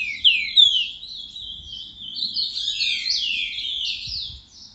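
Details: A Green-winged Saltator sings a soft-voiced ("boca mole") song at 10:40 on Tuesday, 29 December: a continuous run of high, slurred, warbling whistles that rise and fall without pause, over a faint low rumble.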